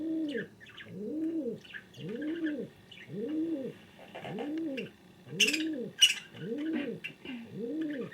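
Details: King pigeon calling, likely kept indoors: a steady series of low, rounded coos, each rising then falling, about one per second, over faint chirps from other birds and a couple of sharp clicks.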